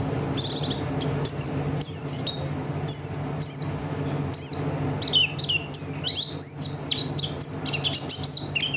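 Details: Rich song material from a buxtoni Oriental white-eye: rapid high chirps and swooping whistled notes, some looping up and down, packed into a near-continuous warble that grows busier toward the end, over a soft low hum.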